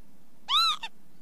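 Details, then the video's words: Northern lapwing calling once, a nasal, arched note swelling up and dropping away, then a short tail note, over soft background hum. "ontspannen kievit geluid"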